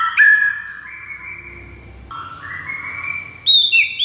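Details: Shama song intended to stir mute white-rumped shamas: drawn-out, softer whistles gliding slowly upward in steps, ending with a louder, higher sharp flourish.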